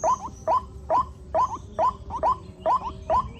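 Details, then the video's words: Short upslurred peeping notes from young white-breasted waterhens, seen in numbers during the rainy season. The notes come in an even series of roughly two per second, with a faint high hiss behind them. "Musim hujan banyak anakan burung ruak-ruak"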